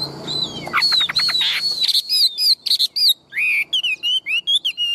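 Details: Tame Chinese hwamei kept in a cage, big-bodied and said to sing loudly and fight well, producing a harsh rattling burst followed by strong high whistled phrases and short repeated slurred notes.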